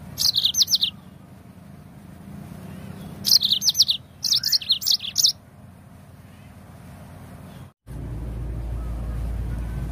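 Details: Yellow-fronted canary song meant to stimulate other birds to sing: several bursts of fast, high twittering notes, then quiet, a brief cut and a rumbling low-pitched noise.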